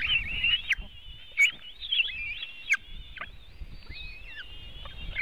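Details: White-tailed eagle nest webcam, Latvia, 24 June 2018, mid-afternoon feeding of the eaglets: high, thin wavering whistles with quick falling slurs, broken by sharp clicks or knocks roughly every second.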